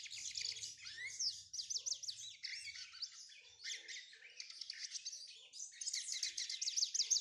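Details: Lined seedeater in brown plumage from Pernambuco, Brazil, beginning to sing: a continuous, very high, fast twitter of sweeping chirps, buzzy notes and short trills, with brief pauses near two and five seconds and only faint low rumble.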